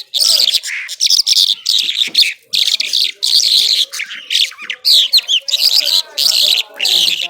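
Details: Irani Mashadi jhal skylark singing nonstop and powerfully: loud rapid high phrases of buzzy trills and chirps, separated by short gaps, some sweeping whistled notes, clean background.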